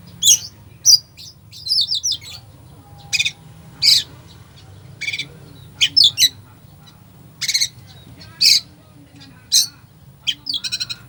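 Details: Full fill-in song of an Oriental magpie-robin for stirring a slow bird. Varied high phrases follow one another for over ten seconds: dry rattles, buzzy notes and bright whistled trills, each a short burst with regular gaps, over a faint low hum.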